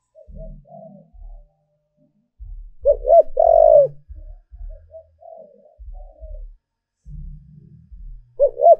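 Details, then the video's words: Decoy spotted dove calling to lure wild birds: a loud phrase of two brief coos and a long coo, with quieter distant coos scattered around, low thumps, and the start of another phrase at the end. "Cu Gáy Mồi Thúc/ Gáy Gọi Kích Bổi"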